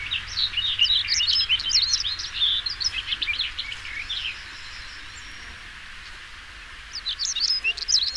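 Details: Singing European stonechat: a dense run of quick, chattering high notes for about three seconds, then a pause and another hurried twittering burst near the end, with faint hiss behind.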